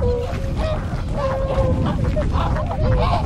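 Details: Tundra swans at their wintering site on a river in Kawajima, Saitama, Japan, 4 February 2017; drawn-out, slightly wavering honking notes overlap with shorter calls from the flock against constant low background rumble.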